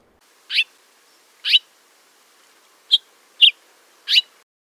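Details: House Finch, a species in which both sexes sing year-round and whose calls include soft squeaky chirps and rising notes, giving five short, squeaky, bright rising chirps about a second apart, with nothing else heard.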